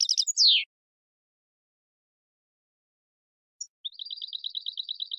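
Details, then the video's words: European goldfinch contest song used to train goldfinches: a fast descending slurred note, then long silence before a rapid, even high trill of repeated chipping notes. "Canto del Jilguero 5 horas para educación de concurso"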